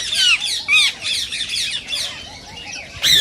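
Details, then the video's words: Green rose-ringed parakeet, called Indian ring-necked parakeet, whose calls are said to stimulate singing and mating in other parakeets: harsh, high, downward-sliding screeches in quick bursts, with softer overlapping squawks and faint low whistles between them. "صوت ببغاء الدرة الخضراء"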